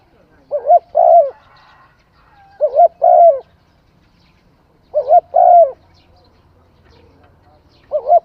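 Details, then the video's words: Repeated spotted dove cooing, phrases coming roughly every two seconds, each a stuttered pair of low notes then a longer mellow coo, in a calm setting. "Tiếng chim cu gáy hay"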